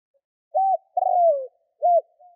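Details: Spotted dove cooing to rouse wild doves: one clean three-note phrase, a short hollow coo, a longer coo sliding downward, then another short coo, with no other sounds.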